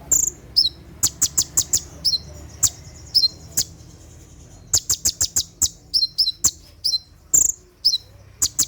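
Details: Brown-throated sunbird (konin) at night giving its 'tembakan' shooting song, used to train caged birds: sharp, very high chirps fired in quick bursts, some with a lower downward tail, a pause mid-clip, then a fresh volley.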